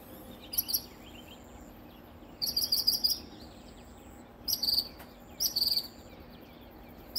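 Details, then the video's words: In the early morning in south coastal Texas, a northern mockingbird sings from hiding in a peacock flower bush about 10 feet from a door: bursts of high, chattering, varied phrases, some repeated, with brief pauses, thin whistles and faint insect hum. "Northern Mockingbird Song"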